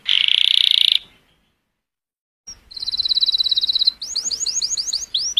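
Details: Male-style courtship singing from a colour canary aimed at stimulating females: a brief harsh buzzy roll, about a second of quiet, then a fine rapid high trill and repeated upward-sweeping whistled notes over faint background hiss.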